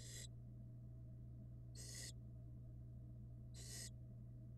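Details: Nestling barn owls at a camera-watched nest, hatched February 2022, give three loud, noisy, breathy hisses spaced almost two seconds apart against a constant low electrical hum.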